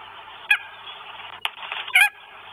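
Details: Northern goshawk with food, Estonia, 1 May 2022: three short, harsh, nasal calls in under three seconds, each a brief harmonic burst, over steady loud hiss.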